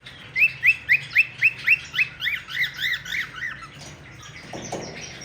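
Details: A cockatiel whistling and playing in a cage inside an aviary gives a quick run of bright, rising whistled notes, then softer arched ones.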